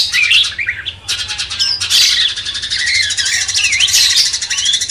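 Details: Master song of a sooty-headed bulbul meant to excite a magpie-robin, a run of bubbly, wavering whistles and quick slurred chirps with little pause, set against continuous high-pitched hissing.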